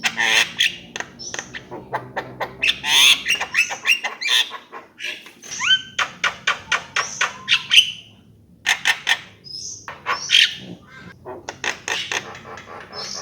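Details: Long varied Javan myna song: bursts of harsh chatter, rapid clicking series, clear upward-slurred whistles and high squeaky notes, broken by a short pause before more clicks and squeals.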